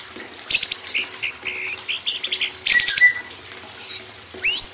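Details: A White-rumped shama sings on a training recording used to make young birds more vocal. Short whistled notes fall in a loose series with occasional harsh bursts, and an upward-swept whistle comes near the end, all over trickling water.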